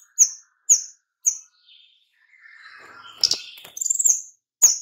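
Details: Lure calls of a white-rumped shama for attracting other birds: three sharp high chirps open the recording, a softer warbled stretch follows in the middle, then a burst of quick twittering notes and one final loud chirp.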